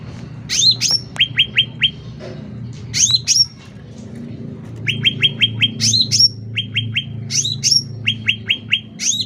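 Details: Loud, lively song of a sooty-headed bulbul, played for teaching songbirds and luring: bright rising whistles end in a flick, then runs of three to five short falling chips, repeated in bursts with brief pauses.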